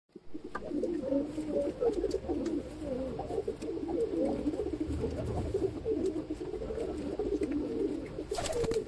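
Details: Pigeons around an ash-coloured baby pigeon, with low, throaty cooing rolling on almost without pause, several overlapping coos wavering in pitch, and a brief bright clatter near the end.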